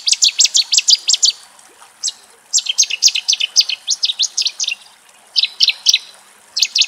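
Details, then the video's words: A Cetti's warbler in Greece's Axios Delta National Park, Thessaloniki, bursts out in loud, explosive phrases of rapid, high repeated notes, each burst about a second long and separated by short pauses. "Ψευταηδόνι Κελάηδημα"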